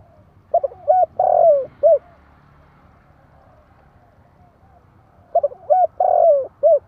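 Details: Spotted dove used as a tame lure bird, cooing two matching phrases about five seconds apart, each a few quick coos and a long descending note, over a low steady hum.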